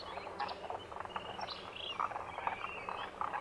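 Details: Demoiselle cranes, locally called Koonj, wintering in their thousands at a lake in Khichan, Thar Desert, Rajasthan, India, after migrating over the Himalayas. A dense chorus of overlapping rolling, croaking calls from the flock, with brief higher notes.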